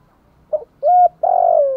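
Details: Spotted dove in "thúc gù" (urging coo) style: a brief soft lead-in note followed by a steady hollow coo and a longer, throbbing coo that slowly falls in pitch, with nothing else audible.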